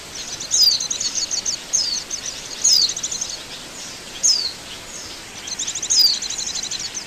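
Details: Oriental white-eye lure calls for bird trapping: sharp, high descending whistled notes roughly every second or two, mixed with soft fast twittering trills.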